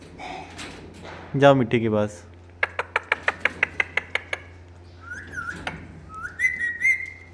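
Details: Talking pet parrot producing mimicry: a short burst of speech-like harmonic syllables, then a rapid run of about nine sharp clicks, followed by smooth rising and falling whistled notes, with a low steady hum behind.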